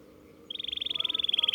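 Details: Canary practising its roll: after a quiet start, a fast, even, buzzy trill of rapidly repeated notes runs steadily for about a second, growing slightly louder.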